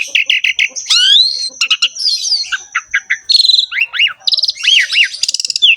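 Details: A Javan pied starling sings in energetic 'ngerek' style, used to lure other starlings into singing: repeated short buzzy notes, then looping whistles, clicks, rising and falling slurs and a fast rattle, with a steady high whine throughout.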